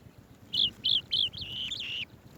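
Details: Swallow-tailed bee-eater bringing bees to its babies: three separate clear chirps, then a longer rolling trill running to about two seconds.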